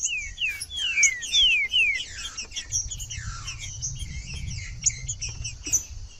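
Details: Green-winged saltator song played to warm up a reluctant, non-singing bird: a run of clear whistled notes sliding steeply downward, several in quick succession, over a constant high thin chatter and a low rumble.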